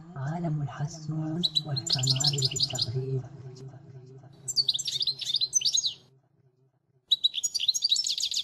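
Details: European goldfinch model song, 2016, used for training young birds: a man talks over the first three seconds while high sparkling twitters run above, then clearer rapid tinkling phrases follow a brief silence.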